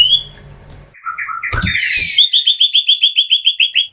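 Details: Common iora in a chattering song variation: a few mid-pitched slurred notes and a thump, then a fast, even string of about fourteen short high whistled notes.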